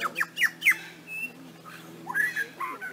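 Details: Mimicking lyrebird delivering three quick steep down-slurred notes, then a brief pure whistle and a pause before more squawky slurred phrases, uneven in rhythm.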